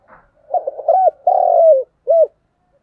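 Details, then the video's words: A spotted dove coos in the 'thúc gù' continuous style, a single phrase of mellow low hoots: broken opening notes, a rounded coo, a long level note dropping at its end, then one short coo. "cu gáy thúc gù/ Cu gu lien tuc"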